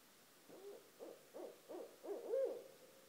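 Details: Barred owls right outside a home call in the early hours, six low hoots spaced about half a second apart, growing steadily louder to a strong final note.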